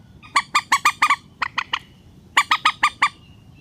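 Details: Rail lure recording for netting birds, relaxed style: a rapid run of six harsh ringing notes, three softer ones, then another quick set of five squawks.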